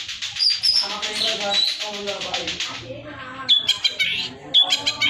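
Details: Long-tailed shrike in lively full song packed with varied fill phrases, used as a master for training competition songbirds; dense mixed chatter of harmonic notes and squeaks, high thin whistles near the start, sharper chips toward the end.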